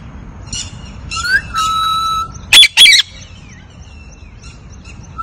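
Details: Pet Hahn's macaw in India whistling a few notes and a long steady tone, then giving two loud harsh squawks, followed by faint chirps.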